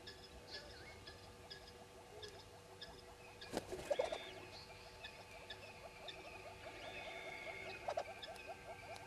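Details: Recorded at Djuma at 05:34 on 10/02/19, red-billed hornbills keep up a fast, steady clucking series, interrupted by a loud broadband knock near the middle, while faint whistles from other birds drift behind.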